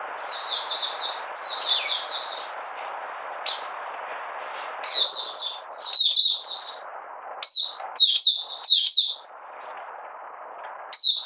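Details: Malaysian Oriental white-eye in minor moult, not in form, singing an opening song on 31 July 2023: scattered clusters of thin, high, chattering notes, livelier toward the end, over a persistent low broadband hiss.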